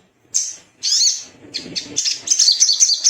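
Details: Little spiderhunter singing to provoke other birds: two sharp high calls followed by a dense, fast chattering twitter.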